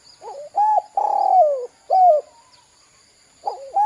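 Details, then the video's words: Spotted dove calling as a lure meant to prompt young birds to call: a soft lead-in note, a clipped coo, a long throaty coo sliding downward, then a short falling coo, with the next phrase starting near the end. "PANCINGAN DERKUKU KUK 2 GACOR TELER JOS UNTUK PANCINGAN BUNYI DERKUKU BAHAN"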